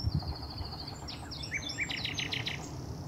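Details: Nightingale recorded 20 May 2012 in Highnam Woods, Gloucestershire: a drawn-out high whistle, two short rising notes, then a quick string of repeated sharp notes, with low background hum throughout.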